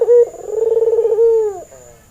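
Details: A single coo from a white albino Barbary dove, a red-eyed male in breeding condition, played as a training lure. A short clear note leads into a pulsing, rolling hum that steadies and then drops off.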